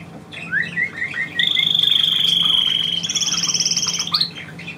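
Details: A few upslurred whistles from a pet bird lead into a long, even, rapid trill held for nearly three seconds, then a higher trill and a short chirp. The bird is performing on its owner's command.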